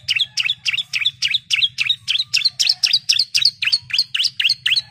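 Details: Female orange-headed thrush calling the male: rapid series of sharp, bright chirps repeated about four times per second, each a quick down-up note, steady throughout with a faint low hum beneath.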